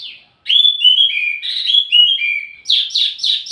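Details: ['Singing wambi mini, offered as training audio for tledekan: after a short pause, a warbled phrase of sliding whistled notes stepping downward, ending in three loud, rapid, buzzy down-slurred chirps.']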